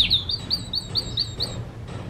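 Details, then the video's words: Domestic canary song, offered as training song for other birds: a high phrase of upslurred chirps near the top of the range, repeated about five times a second, over a low background hum. "Best Canary Bird Singing _ Training Canary bird"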